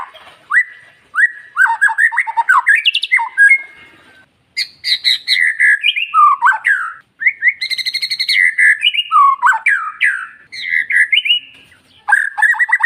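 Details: Murai (magpie-robin or shama) singing, meant to prompt silent male murai to answer and come into breeding condition; long varied run of rich whistles, slurred and rising notes, broken by brief pauses, no background noise.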